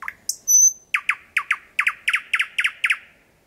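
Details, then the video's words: At about four metres, a thrush nightingale sings at 01:23 at night in Kiili parish, Estonia: a thin high whistle followed by evenly repeated paired, hard, downward notes, about eight pairs in three seconds. "Ööbik väga lähedal laulmas Kiili vallas 08.05.2020 öösel"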